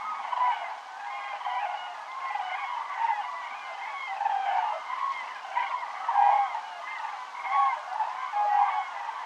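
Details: Groups of cranes passing over Navarra in the Pyrenees, 1 November 2017, flying south and circling while they regroup. Numerous loud, rolling trumpet calls overlap throughout, with louder bursts every second or two.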